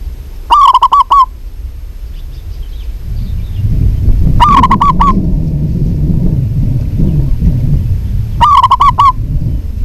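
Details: Local zebra dove singing. Three short bursts of clipped, hollow cooing notes come roughly every four seconds, with a rising low rumble of background noise between them.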